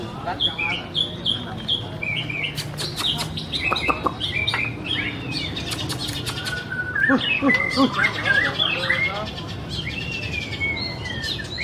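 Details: White-rumped shama singing: varied clear whistled phrases, some slurred and falling, mixed with sharp clicks and snapping notes in irregular bursts, over a steady low background hum.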